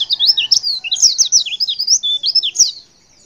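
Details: Female white-eye call aimed at getting males to answer, delivered as a breathless chain of bright, high chirps and twisting whistles for about two and a half seconds before falling silent.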